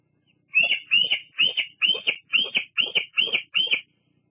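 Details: Female bald eagle at Fraser Point, calling from its nest on a July 2022 evening while stopping by to preen and rest, captured by a nest camera; a run of eight high, squeaky chattering notes, evenly spaced, with no other sounds.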